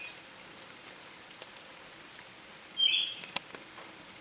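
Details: Siberian thrush in Tohoku, Japan, 21 July 2020, giving one short, faint phrase: a quick whistled note with a high sibilant hiss, late in a quiet stretch. Several sharp clicks are also heard.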